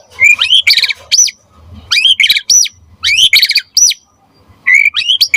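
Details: Gacor white-rumped shama (murai batu) song, used as a lure and master song: repeated phrases of rising whistles and dense rattling bursts, each ending in a high swooping note, separated by short pauses.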